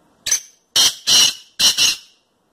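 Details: Male-type kept black francolin giving its clear song: a loud, harsh, grating call of one short note then two pairs of rasping notes within two seconds, in an otherwise quiet setting.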